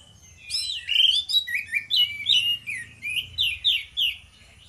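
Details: Loud morning song from a pair of orange-headed thrushes in ngeplong style: rich, high, varied phrases of slurred whistles and quick chirps, delivered in steady bursts about twice a second, with a faint low hum behind.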